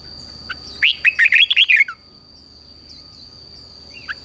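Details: Red-whiskered bulbul, a newly caught wild bird being trained to sing, gives one quick burst of about seven bright, warbled notes lasting under a second, then falls quiet; a steady thin high whine runs throughout.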